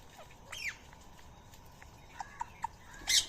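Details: Near Coimbatore, India, feeding Indian ringneck parakeets make quick descending chirps, a few soft clicks while eating, and end with a loud harsh rasping screech.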